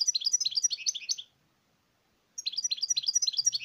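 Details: Fast, rhythmic goldfinch twittering: a European goldfinch pours out a dense run of bright, bouncing notes, falls silent for about a second, then launches into another equally rapid jingling phrase.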